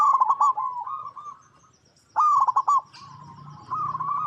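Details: Zebra dove, a local Indonesian perkutut, cooing: loud bursts of stuttering, rolling coos near one pitch, each phrase broken into quick pulses, with softer trailing coos between the loud bouts.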